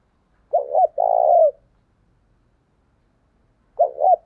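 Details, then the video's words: Spotted dove used as a decoy for wild birds sings one full phrase, two short coos and a drawn-out third, then a pause of about two seconds before the next phrase begins. "Chim cu gáy mồi chuẩn thúc kích bổi nhanh nổi hiệu quả"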